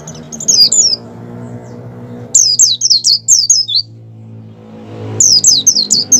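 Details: Oriental white-eye, a wild bird in breeding condition, delivering high, quick twittering bursts of descending slurred notes, three phrases with gaps between, while a steady low mechanical drone runs underneath.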